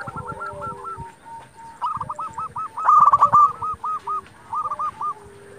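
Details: A local zebra dove sings eagerly to provoke rival doves into answering, giving a string of quick, hooked cooing notes that swell into a loud rolling burst, then soften into shorter repeated coos.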